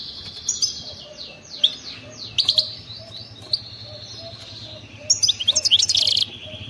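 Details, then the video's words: European goldfinch singing wild-style (khalwi) song with batbata phrases; sparse high twitters and drawn-out descending buzzy notes early on, a quiet stretch, then a fast ringing trill near the end over a faint low hum. "أطلع لي اي حسون ما يغنيش وسمعو هذا التغريد 😱😠 راح يغني بدون مقدمات بتبتة جنونية وغناء خلوي خرافي"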